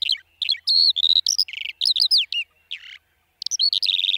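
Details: Eurasian skylark (Alauda arvensis) singing: high, quick bursts of chirps, buzzy trills and short whistled notes, broken by brief pauses, with a sweeping descending phrase near the end.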